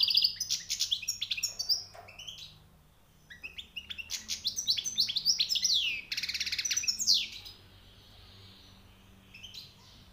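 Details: Newly caught European goldfinch singing high, rare notes: bursts of rapid, tinkling, high twittering with sliding whistles and buzzy trills, broken by a two-second pause and ending in a quiet stretch.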